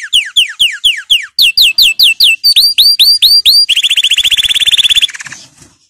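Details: Canary powerful training song built from repeated phrase blocks: falling whistled notes, then upswept slurs in quick series, then a rapid rattling trill that fades out at the end.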